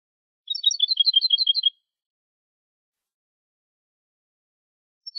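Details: European goldfinch in clean 'copia' contest song, Málaga 2020, for teaching young birds: a steady rippling trill of high twinned notes just over a second long, then silence and the start of another phrase.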